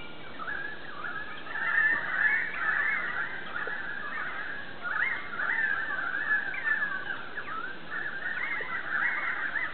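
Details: In autumn, a large flock of currawongs, possibly close to 30, hidden in trees around a yard, gives an eerie, steady, overlapping chorus of loud, mid-pitched ringing and honking notes with no clear gaps; currawong.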